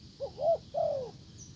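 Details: Calling decoy spotted dove trying to lure a wild bird, which pays no attention and leaves; one phrase of a short low note, a rising-falling coo, then a longer sagging coo.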